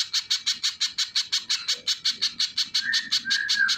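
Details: Little spiderhunter pouring out shrill, sharp chips in quick succession, nearly three per second. Near the end, sliding whistles from another bird join in.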